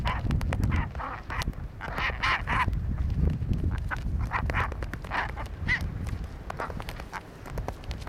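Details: Chinstrap penguins (Pygoscelis antarcticus) fighting, aggressive harsh grating squawks in rapid bursts, several a second, with sharp knocks and slaps over a low rumble of wind.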